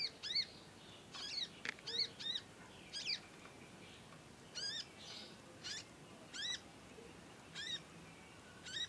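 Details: Young conin learning to sing, with long continuous nyecet chirping: short harmonic chirps with a curved, falling shape, given singly or in quick pairs about once a second over a quiet hiss.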